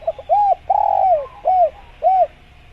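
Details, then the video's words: Spotted dove, locally tekukur, cooing in a recording meant to make tekukur call sooner: quick soft lead-in notes, a rounded coo, a drawn-out falling coo, then two evenly spaced arched coos. "Masteran Tekukur Biar Cepat Bunyi | Natural Jungle Dove Sound Effect"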